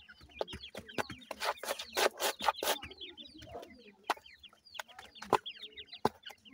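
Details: Captive teetar chicks, newly hatched, peep during feeding: a steady stream of thin descending whistles from several birds, with a burst of hissy rustling and rapid tapping midway.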